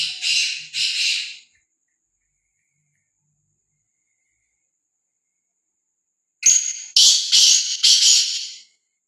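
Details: Fearless free-roaming black francolin: two coarse notes, a long silence of about five seconds, then a burst of five rasping notes, a short one leading into quick harsh repeats.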